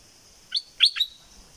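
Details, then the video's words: Three short, sharp whistled notes from a southern Thai bulbul, the middle one loudest, over a steady high hum. "เสียงนกดอกแตงภาคใต้ สายเบิ้ล!!!Burung merbah lekir gacor bahanan"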